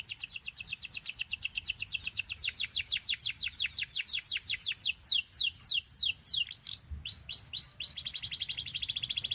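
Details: Canary singing, used as practice song for training: rapid trills of repeated downward-sweeping high notes, shifting through several phrases, ending in a fast buzzy roll.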